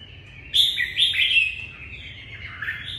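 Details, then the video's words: Red-whiskered bulbul singing to greet the new day: a loud, clear whistled phrase with bright, slurred notes, then softer trailing warbles fading out over the next two seconds. "Chào mào hót chào ngày mới"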